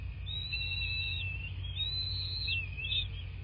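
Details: High, sustained whistled calls from a bald eagle at its nest in southwest Florida, nest camera, 26 February 2024, 09:21; wavering arcs run almost continuously over a low steady hum.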